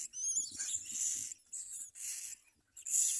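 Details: A common myna bringing food to its young: three grating, hiss-like screeches in quick succession, each under a second, with faint low rustling beneath.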